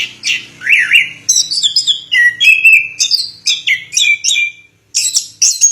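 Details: Orange-headed thrush (anis kembang), Indonesia, giving a lengthy song: loud whistled notes sliding up and down, rapid chirpy phrases strung together, one short gap before more high sweet notes.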